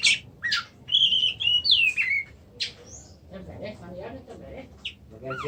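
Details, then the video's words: Oriental magpie-robin delivering a bright run of sliding whistles and sharp chips. Quieter, lower murmuring sounds follow in the background. "kacer macet"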